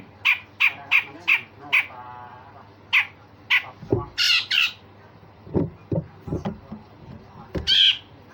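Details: Grey-cheeked bulbul singing rough rasps and sharp shots for training songbirds: a run of six clipped, repeated notes, then louder harsh buzzy bursts mixed with low knocking sounds.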